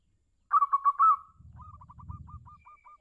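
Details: Calling song of a local zebra dove used to get other zebra doves to answer: one quick series of clipped, bubbling coos ending in a longer note, then a low rumbling background and a faint train of short repeated notes.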